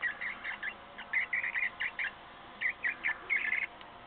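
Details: A newly hatched cockatiel chick, with another egg still hatching, gives short, thin chirping peeps in quick bursts, pausing between groups.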